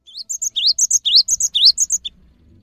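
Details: Cinereous tit in full, vigorous song, used as a lure recording to stir quiet or stressed caged birds into singing: rapid high whistled two-note phrases, a rising slur then a higher sharp note, repeated about eight times in two seconds.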